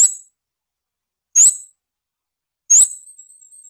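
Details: Scarlet-backed flowerpecker giving sharp, very high, thin notes about every 1.3 seconds, the last one trailing into a steady high whistle; quiet background.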